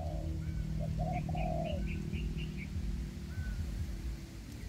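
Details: Spotted dove decoy used for trapping in forest, a short hoot and one long coo at the start, then a rapid series of higher chirps from another bird and a faint whistled note.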